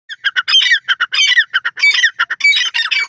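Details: Grey francolin (Dakhni teetar) chicks calling to their parents: harsh, squawky bursts in an uneven rapid series, short clipped notes alternating with longer scratchy ones, steady and loud throughout.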